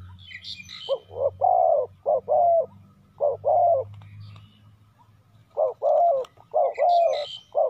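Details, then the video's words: Spotted dove working as a decoy to draw wild doves, cooing steadily. It gives repeated low phrases of two or three short notes and a longer final coo, with bursts of bird chirps between. "chim cu mồi gáy gọi bổi"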